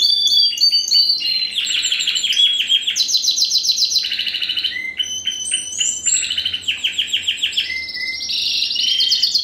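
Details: Canary bred in 2015 from a Spanish Timbrado × wild canary cross delivers varied phrases: chopped rattling notes, brief low whistles and fast rolls alternating every second or two.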